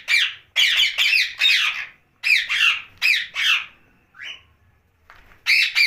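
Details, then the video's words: Night-time chatter of a pet rose-ringed parakeet: a steady series of loud, rasping, slightly rising syllables about twice a second, a brief lull with one thin upslurred note, then two more harsh phrases. "Night Talking parrot Mitthu Ringneck"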